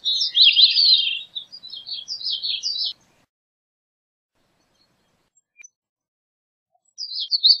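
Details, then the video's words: A Gray-cheeked thrush (Catharus minimus) gives a loud, buzzy, fluty phrase of nearly three seconds, starting strong and breaking into quicker downslurred notes. A long pause follows, then the start of another phrase. "Gray-cheeked Thrush Singing, Sound, Calling, Chirp - Zorzalito Carigrís Cantando"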